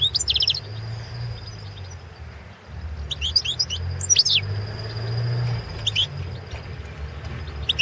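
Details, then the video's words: Balkan European goldfinch (Carduelis carduelis balcanica) recorded for a 2017 online goldfinch song championship: short bursts of high, tinkling twittered notes separated by pauses, over a steady low hum. "World championship in Goldfinch Song 2017"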